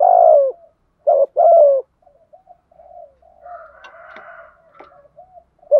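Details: Spotted dove giving the thúc gù cooing style in a low thổ voice: a loud mellow coo, then a quick two-part coo, followed by soft trailing low notes and faint chirps.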